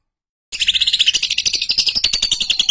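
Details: Female lutino lovebird of fighter type giving a long chattering trill: after brief silence, a fast unbroken run of sharp, high buzzy chirps, about ten per second, lasting over two seconds.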